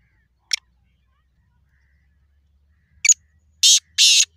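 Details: Black francolin, known locally as kala tetar, gives a brief sharp note, a pause, then another note leading into two long, harsh, rasping bursts close together. A faint low hum runs underneath.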